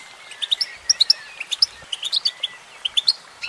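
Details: Sparse, high chirps from a singing female goldfinch, single clear notes spaced irregularly a few tenths of a second apart over a faint hiss.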